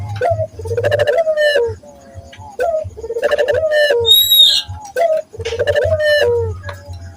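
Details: Local Barbary dove lure call for dove training: rolling pulsed coos with short rising notes between, repeated regularly; a brief high chirping from another bird and low thuds also heard.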